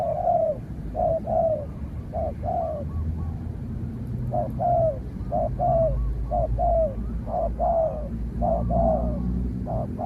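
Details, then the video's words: Spotted dove, a trained bird taken out to face a wild dove that kept its distance before being driven off, giving repeated short low coos in paired phrases over steady low rumbling background noise outdoors. "เสียงนกเขาใหญ่ ต่อ นกเขาใหญ่"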